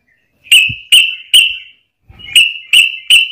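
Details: Yellow-vented bulbul fighting song, used as a lure to provoke other bulbuls: six sharp, short bubbly notes in two groups of three, separated by a short silence.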